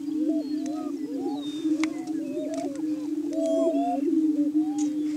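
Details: Greater Prairie Chickens displaying on booming grounds in Washington County, Kansas, in the morning to hold breeding territory; deep sustained moaning with looping whooping notes rising and falling over it.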